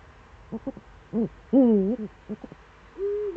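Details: Eurasian eagle-owl in the Eifel, early morning of 26 September 2013: a few short notes, a brief swelling note, a loud wavering half-second call, more short notes, then a level sustained tone.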